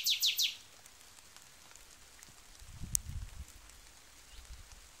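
A nightingale opens with a quick burst of three high, sweeping whistled notes, then falls silent over a quiet background with a low rumble and a sharp click.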